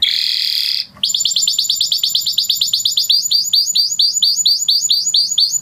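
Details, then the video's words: Blue Spanish Timbrado canary singing a sustained buzzy high note, a short pause, then a long rapid series of bright ringing notes repeated several times per second. "Blue Spanish Timbrado Canary"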